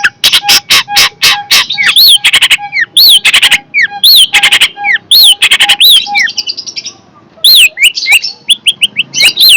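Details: Long-tailed shrike, described as fierce, calling loudly: rapid clicking bursts, then sharp hooked notes that rise and fall, repeated at an uneven pace, with a steady low pulsed tone in the background.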